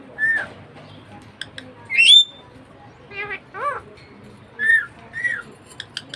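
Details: Pet budgie parakeet calling with scattered soft arched chirps, one loud upswept whistle, and a short burst of falling stacked notes, separated by quiet pauses.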